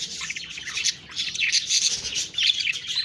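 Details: Budgies chatter in loud, grating high warbles and chirps, one brief dip in the middle, then back to a busy twittering stream.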